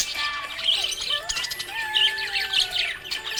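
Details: Budgie chirping happily, rapid busy twittering and brief warbled notes running almost continuously, with sustained musical tones underneath.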